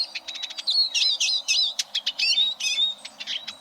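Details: Rapid, high Eurasian siskin twitter, mixing short clicks with bouncing slurred whistles in a steady stream; recorded as a model song for competition canaries.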